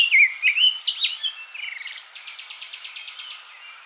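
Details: Abyssinian thrush of Africa in song: a rapid run of clear whistled and warbled notes fading into a dry, evenly pulsed rattle-like trill near the end.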